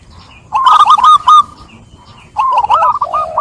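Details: Zebra dove: a rapid rolling phrase of warbled coo notes, then a pause, then a second phrase ending in a lower, steady drawn-out note.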